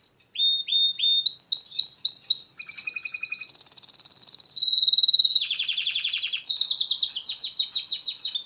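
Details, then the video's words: Canary song in a clear, quiet setting: a run of rising whistled slurs repeated about twice a second, then a long buzzy trill, a warbled rattle and fast pulsed rolls. The bird is loud and close. "أروع تغريد كناري"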